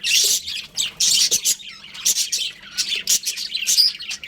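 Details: Two budgies of a breeding pair give loud grating squawks and chirps, with long harsh bursts at the start and shorter whistled chirps after, over a faint background hum.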